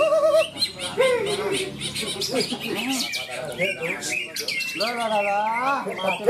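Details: A greater green leafbird singing at a songbird contest in Malinau, North Kalimantan, pours out a rich, varied song of fast warbled whistles, slurred notes and chatter, with other birds, faint voices and clapping behind.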